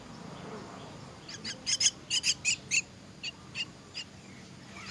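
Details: Hungry myna chicks being fed burst into a quick volley of shrill, hoarse squeaks, five or six close together, then a few sparser calls trailing off.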